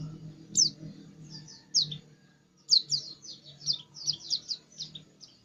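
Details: White-eye in insistent song, opening with a few scattered high, thin chirps, then breaking into a faster run of sharp, downslurred twittering notes in close succession, with a soft low hum underneath.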